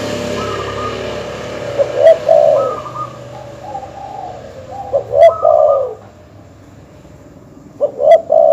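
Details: Cooing of a terkukur or perkutut dove for provoking rival birds, over a background hiss that fades midway; mellow coo bursts about every three seconds, interleaved with flat, steady higher tones.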